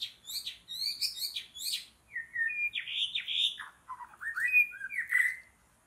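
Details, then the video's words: White-rumped shama in forest during bird trapping: loud, varied song of rapid chirps, then sliding whistles and slurred descending notes around mid pitch, phrases tumbling one after another with short pauses. "Mikat Burung Murai Batu dihutan"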